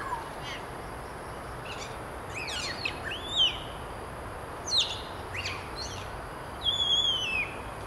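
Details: Common hill myna calling: a series of quick whistled notes, several sharply down-slurred and others rising, with a longer clear whistle near the end, over steady background hiss and a faint constant high tone.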